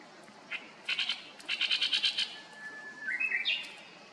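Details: Great reed warbler singing noisily, its song rendered as "chotto koi": harsh, grating chattering notes in quick clusters, then a thin level whistle rising into a higher stuttering phrase, faint steady background hiss.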